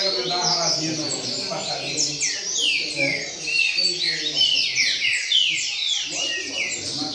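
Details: Double-collared seedeater singing steadily in the rain-song style: rapid series of bright, downslurred whistled notes, high and sweeping, delivered in a dense stream while a man talks quietly underneath.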